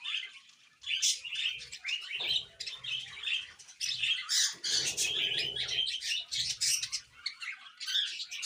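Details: Two caged budgerigars, a couple, giving continuous scratchy warbling chatter with quick chirps and squawky notes, sounding almost without a break after a short quiet opening.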